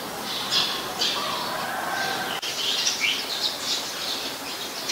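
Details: Eurasian tree sparrows (Passer montanus), a very common resident, chirp in a busy, overlapping chatter of short, harsh, high notes, several birds at once over a steady outdoor hiss; Ubon Ratchathani, Thailand, 10 May 2020.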